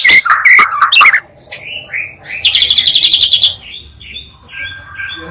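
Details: Lure recording combining two Oriental magpie-robin voices to quickly rouse caged birds: harsh chattering notes at first, then a rapid buzzy trill of repeated notes, followed by softer whistled phrases.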